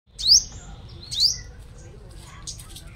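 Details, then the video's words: Five-coloured sunbird, a decoy bird, from Long Thành, Đồng Nai, Vietnam: two sharp, high rising whistled sweeps about a second apart, followed by faint softer twittering and low background hum. "Chim Hút Mật 5 Màu Mồi Siêu Hót"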